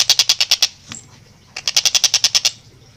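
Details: Long-tailed shrike in lively, clear, rapid song: a quick burst of rasping notes, a short thin whistle, then a second longer burst of about ten fast harsh notes.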